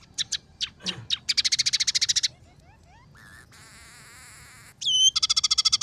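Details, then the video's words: Scaly-breasted munia song mixed with tree sparrow, red siskin and canary phrases. Chirps run into a fast rattle, then a low buzz and a long harsh trill, then another quick ringing rattle. "masteran burung emprit peking gacor 008"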